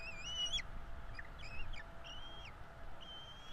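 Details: Feeding time for two bald eagle chicks at a Florida nest, 5 April 2022: thin, high whistled squeals, some wavering and bending downward, spaced irregularly over a low rumbling background.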